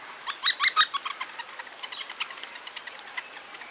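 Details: A male Hairy woodpecker (Dryobates villosus) feeding a fledgling in Toronto: a few loud, sharp, high notes in quick succession, then a fast run of softer clicking ticks fading over three seconds.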